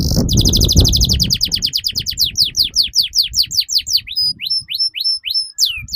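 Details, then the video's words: Singing canary used as a lure and master song for training young canaries: a long fast series of steeply falling whistled sweeps that slows into spaced, sharper notes, over low rumbling background. "PANCINGAN Burung KENARI Gacor Panjang || MASTERAN Kenari Paud Agar Cepat BUNYI"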